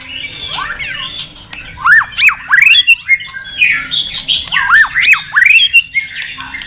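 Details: An excited White-rumped shama bobbing on its perch sings combative song: a soft jumble, then loud looping whistled notes that arch up and down in rapid groups, repeated twice with brief gaps.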